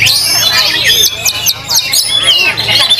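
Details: Oriental magpie-robin in a contest cage at a Cikarang meet-up, singing for the first time since its moult and winning first place. It gives bright, fast whistles and quick up-and-down slurred notes amid other songbirds and background voices.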